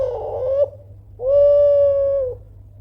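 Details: Spotted dove, Kelantan style, giving a loud call to rouse rivals into replying: a wavering coo fading upward, a short gap, then a long level tonal coo of about a second, with a steady low hum beneath.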